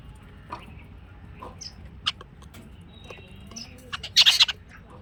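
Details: Jungle babbler giving a few scattered dry clicks, then a loud harsh rasping burst of chattering notes near the end, over a quiet background.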